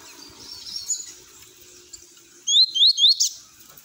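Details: Double-collared seedeater performing the tui tui song meant for training young birds: three or four clear rising whistled slurs in quick succession after a quiet stretch of soft background chatter.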